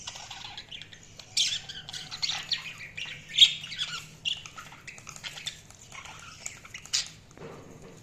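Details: Budgerigar chirping, fairly soft: a busy stream of scratchy chatter and short squeaky notes with a few louder sharp chirps, over a low background hum.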